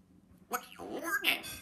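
A grey parrot talks in a clear, human-like voice, asking a quick question, "what's your name", in a few fast, bright syllables in a quiet room.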